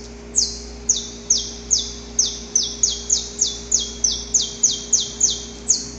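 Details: Wild male Saffron finch recorded in nature, singing its long, harsh pre-dawn song while courting a female: loud, sharp notes sliding downward, repeated about three per second at uneven intervals, over a faint steady low hum.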